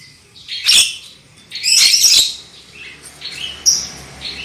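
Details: Black-winged myna singing in a lure recording for prompting loud song: two loud raspy, broadband bursts followed by softer whistled and slurred notes.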